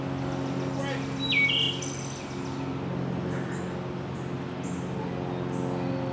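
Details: Wood thrush singing at Melton Park on April 15, 2023: one short, clear, flute-like phrase near the start, with faint thin high chirps from other birds and a steady low hum underneath.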